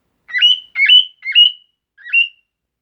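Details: Bar-winged prinia giving four clear, sharp two-part notes, a quick low chip sliding into a higher whistled tone, in a rapid run with a short pause before the last, against a silent background.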